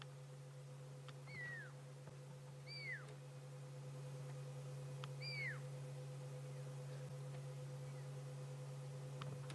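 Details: Wild fork-tailed drongo in Sabi Sands during an afternoon safari drive, 26 June 2016, mimicking a pearl-spotted owlet's high-pitched territorial whistle; three separate high whistles, each falling sharply, spaced about two seconds apart, over a steady low engine hum.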